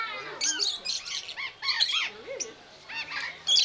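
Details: Captive rosy-faced lovebirds in Belgrade's zoo, Serbia, October 2022, recorded with a Panasonic AG-CX350: rapid, piercing squeaky calls from a group, stacked and chattering, with a brief lower note midway.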